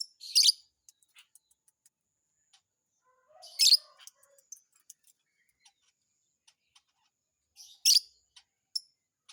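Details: Lovebird giving sharp, very high, piercing chirps in short bursts roughly every three and a half seconds, with faint ticking clicks and a soft lower warble between them.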